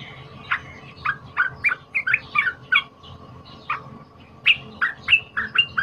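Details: Cream-vented bulbul, a wild-caught lure bird, singing its loud, high-emotion fighter song for training: scattered bright chirps and short chattering phrases with small pauses, becoming denser toward the end, over a constant faint hum.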